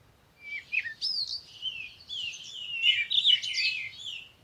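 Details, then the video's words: A bird sings a continuous, high warbling phrase of sliding whistles and twitters that rises and falls quickly over about four seconds, with a quiet background. "Sound of the Birds"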